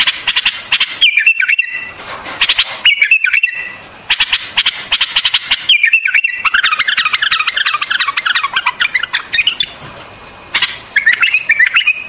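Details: Bubbly whistled phrases from a white-eared bulbul, each wavering downward, alternating with rapid clicking bursts; a fast chattering run of notes fills the middle stretch.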